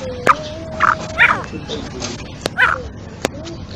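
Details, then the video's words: Female black francolin calling, short harsh chirping bursts given irregularly with a few sharp clicks and a steady low hum in the background. "kala teetar madi ki awaz |masti wali awaz |mix awaz |kali madi ki awaz"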